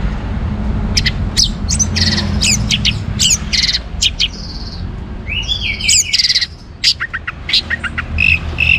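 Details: Orange-headed thrush pouring out dense, varied song to provoke other birds to sing: rapid chips, buzzy high notes and swooping whistles tumbling together almost continuously, against a low humming background.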